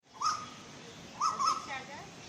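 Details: Female Asian koel calling: two short, harsh, clipped bursts of notes, the second longer and more broken, separated by about a second of quiet background hiss.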